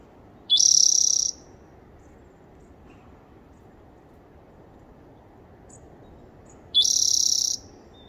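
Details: Spotted towhee, 30 April 2021, repeating its song twice roughly six seconds apart: each a quick low lead note sliding into an insect-like buzzing trill of under a second, with near silence between.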